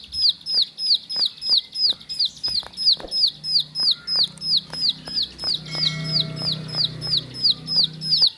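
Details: Bar-winged prinia as a house bird, uttering quick, high, downslurred chirps at a steady beat of about three per second, with clicks and a low background murmur late on.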